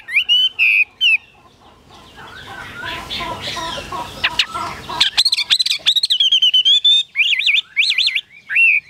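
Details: Chinese hwamei in captivity whistling a few clear phrases, then a noisy scuffling pause, followed by a fast sequence of sharp notes and warbling, trilled loops.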